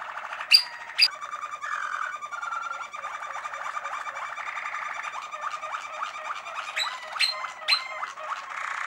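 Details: Malinois Waterslager canary in a long song: sharp accents, then sustained rolling and bubbling tours shifting pitch, ending with rhythmic gurgling notes and loud piercing whistled strokes.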